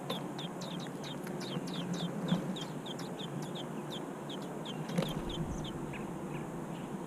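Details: Robin's nest with big nestlings producing repeated high, downward-slurred squeaks, roughly a few per second and irregular, fading after five seconds, with soft thumps and continuous low background noise.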